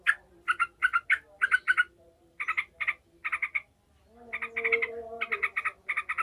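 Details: Yellow-vented bulbul in agitated ngekek mood, a call used to train fighting bulbuls: short clusters of three or four scratchy notes separated by brief gaps, one louder smeared burst near the middle-end, over a faint hum.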